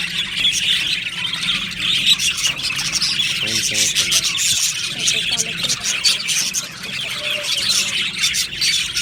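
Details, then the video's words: Budgie colony chattering in an aviary: constant high twittering from many happy birds, joined midway by lower, rapidly pulsed warbles and short trilled phrases. "Budgie Sounds for lonely Budgies | Happy Budgies Birds Sounds | birds Chirping Sounds"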